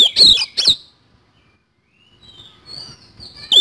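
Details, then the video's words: Oriental magpie-robin singing with kasan fill: two sharp loud whistled phrases, a long near-silent gap with faint high thin notes, then a sudden loud whistle at the end. "BURUNG KACER GACOR ISIAN KASAN"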